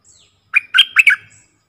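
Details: One of four caged decoy bulbuls in the forest sings a quick, loud, liquid phrase of about four warbled notes, with faint high whistles before and after.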